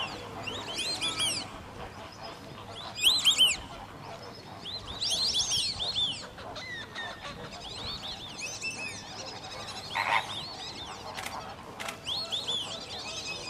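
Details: At WWT Slimbridge, white-faced whistling ducks give loud, high, sharply arched whistles in scattered bursts, some stacked in quick threes, against a soft background of distant bird chatter.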